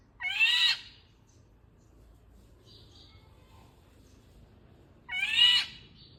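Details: Indian golden oriole calling twice, a nasal, scratchy mew repeated after about five seconds, with faint distant bird notes in the quiet gap.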